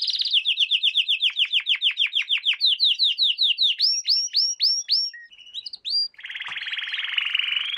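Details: Canary singing in a lesson for young birds: a series of quick descending whistled notes, then rising swooping notes and a brief pause, ending in a dense, fast buzzy trill.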